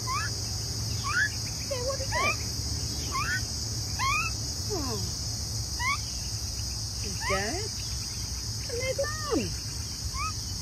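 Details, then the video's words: Young magpie finding its voice gives soft, sliding whistled notes, some rising and some falling, in loose irregular phrases over a steady high insect hum and low background rumble. "Young Magpie Finds Its Voice"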